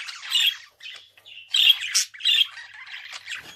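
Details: A budgerigar gives a few grating squawky phrases separated by brief gaps, interspersed with soft twitters and a high squeak.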